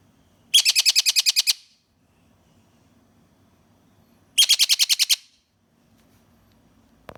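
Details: Juvenile pet Malabar parakeets give two bursts of rapid, harsh, high chattering notes, about ten per second and a second each, separated by quiet murmuring.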